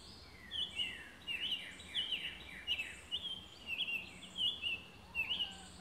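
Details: Summer tanager singing in Alabama: short, burry whistled phrases of two or three slurred notes, rising and falling, given in quick succession about every second, over a steady high insect drone and faint background birds.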